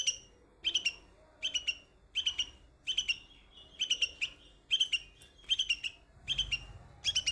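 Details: Young bulbul on white flowers delivering loud, clear chirp clusters of two or three sharp notes, repeated roughly every three quarters of a second, with a faint low rumble near the end.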